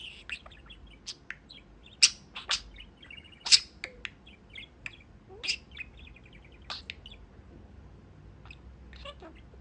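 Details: Indoor pet budgerigar at its cage window near its owners, producing sharp high chirps, scattered ticks and soft warbled trills in loose sequence, with quiet gaps between notes.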